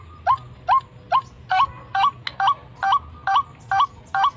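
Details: White-breasted waterhen (srimbok, truwok, ruak-ruak) call used to lure wild birds: a steady series of short upward-hooked croaks, about two per second, very evenly spaced, over a faint low hum.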